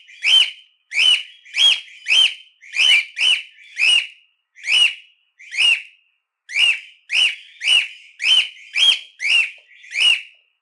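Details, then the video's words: Cockatiel, also called calopsita, calling insistently for training other cockatiels: loud whistled notes rising then falling, about two per second in uneven runs with short pauses, clean background. "Canto de Calopsita: 1 Hora Para Treinar Calopsitas (Canto Próprio)"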